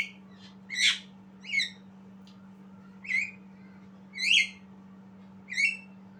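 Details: Young Javan myna learning to sing: six loud, rough, buzzy chirps spaced irregularly over six seconds, some sliding upward, with a faint low hum throughout.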